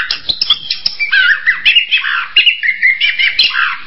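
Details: Orange-headed thrush delivering a flowing string of warbled, slurred whistles that step downward and rise again in quick succession.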